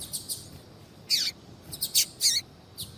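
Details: Calls of a female double-collared seedeater meant to stimulate a male to sing: short high chirps and downward-sweeping notes, about six in three seconds.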